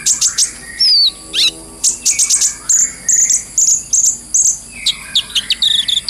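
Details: Brown-throated sunbird, known locally as kolibri ninja, singing a full, clear ngobra song for bird training. Rapid bursts of very high, metallic chips run in quick strings and are broken by a thin descending whistle.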